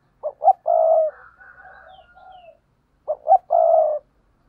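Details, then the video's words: Spotted dove paired cooing: two quick rising notes and then a long, steady coo, repeated after a short pause. A second dove's softer, wavering coos overlap in between. "Tiếng cu gáy đôi"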